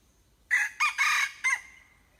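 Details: Four-part crow from a hybrid junglefowl: short, short, long and harsh, then a final note stretching into a soft fading tail, with little else audible.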